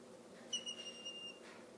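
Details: Young Mississippi kite, an abandoned nestling fostered by a family in Oklahoma, begging during hand-feeding: one long, thin, steady whistle lasting nearly a second, with faint room noise around it.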